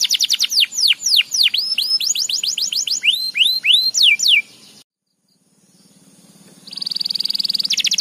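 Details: Gacor canary used to prompt canaries to sing continuously: a run of quick looping downward-sweeping whistles, a sudden silence, then a soft trill rising into a loud rapid rattle.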